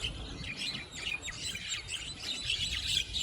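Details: Javan mynas squaring off with aggressive calls while more birds join a chaotic group fight: rapid, overlapping sharp chirps and squawks in quick succession, several birds calling at once over low background noise.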